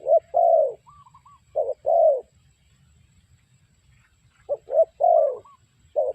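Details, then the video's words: Spotted dove calling as a lure for trapping: paired coos, a short note followed by a longer slurred coo, given in two bursts with a quiet gap; faint higher warbling whistles and low background rumble. "The Sound Of Spotted Dove Bird"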